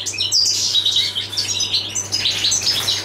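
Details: European goldfinch, a passage bird (jilguero del paso), singing a dense, fast, high twittering warble of tinkling notes and short buzzes, continuous over about three seconds, with a steady low electrical hum underneath.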